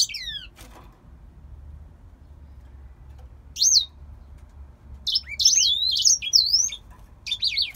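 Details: Captive grey singer finch from Poland giving a lone falling whistle, then a long quiet gap before a sudden cluster of quick, looping high whistles near the end.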